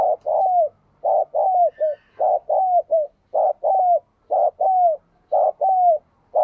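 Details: Spotted dove song repeated steadily as a lure for captive doves to start cooing: hoarse, mid-pitched coo phrases of a short note, a long falling slurred note and a brief clipped note, about every second.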